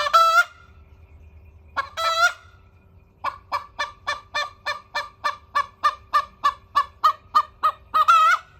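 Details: A hen crowing: two short, nasal, harmonic calls open the passage, followed by a fast, even run of clipped pulses at about three per second, ending with another drawn-out harmonic call. Faint low hum in the background.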